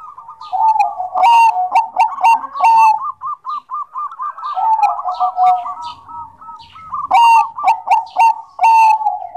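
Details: Vigorous song from a Bangkok-type zebra dove: overlapping soft coos and purring trills, a long steady series of rapid rounded notes in the middle, and repeated loud, sharp, ringing notes punctuating the start and end.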